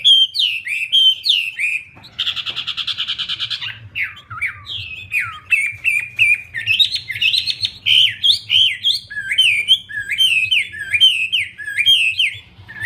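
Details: Energetic Wambi song: varied whistled slurs and twitters, broken early by a harsh buzzy rattle lasting about two seconds, then a fast continuous chain of high looping notes; soft low hum beneath.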